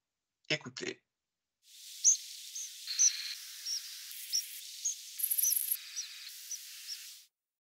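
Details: Tree pipit nocturnal migration flight calls of the slower-modulated type 2: a series of short, thin, high calls, about two a second, over steady hiss. A man's voice speaks briefly just before.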